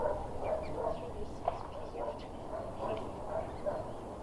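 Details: Swan cygnet chattering at Newsham Burn Pond, Blyth, on 6 June 2016, beside a footpath: short, mid-pitched peeping notes come in quick irregular runs. Low background rumble and faint human voices.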